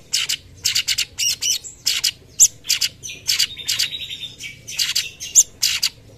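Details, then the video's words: Actively singing cucak cungkok, tembakan style used as master recording: dense run of rasping, buzzy high bursts about every half second, one drawn-out slurred note midway, steady low background hum. "Masteran tembakan cucak cungkok gacor"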